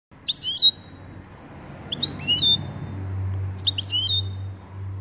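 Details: European goldfinch giving its "pat pat" call to excite another goldfinch: three short bursts of high, bright chirped notes, each cluster of quick upswept and downslurred tweets, spaced about every one and a half seconds over a low steady hum.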